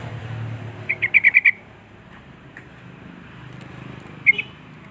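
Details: Sooty-headed bulbul calling out rival birds: a quick burst of five bright, evenly spaced chirps, a pause of about three seconds, then a single short double chirp, with low background rumble.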